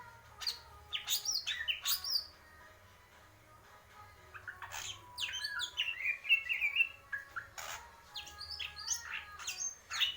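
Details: Greater green leafbird singing purwo mendem gadong style: loud bursts of clicks and quick whistled chatter, a pause, then a second dense burst of sharp notes and slurred whistles.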